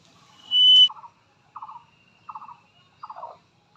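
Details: Indian ringneck parakeet, a talking parrot: one loud, sustained, high pure whistle, then short buzzy chattering bursts repeated roughly every three-quarters of a second in an otherwise quiet setting.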